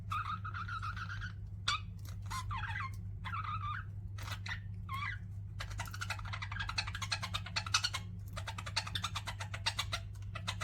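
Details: Pet budgies indoors: a few squeaky chirps and warbles, then long runs of rapid clicking, ticking chatter, over a steady low hum.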